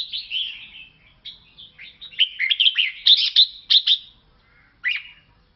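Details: Lao red-whiskered bulbul singing: a series of bright, liquid, warbled whistles with quick up-and-down slurs, in phrases separated by brief pauses, ending with a single sharp note, in a quiet setting.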